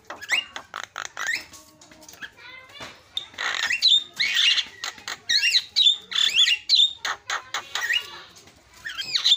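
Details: Javan myna lure song for prompting silent mynas to sing: rapid clicks, then squeaky whistled notes and grating rasps in irregular bursts, with a high shrill squeal at the end.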